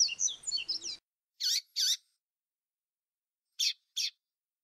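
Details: Double-collared seedeater singing a flautado-style song used for tutoring young birds, with noise removed from the recording: a one-second run of sweet whistled, warbling notes, then two short buzzy bursts and a later pair of similar bursts amid silence.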